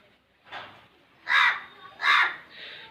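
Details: Crow perched on a wire outside a balcony, calling loudly and repeatedly as if wanting something; three harsh, raspy caws, the first softer, then two loud ones about 0.7 seconds apart.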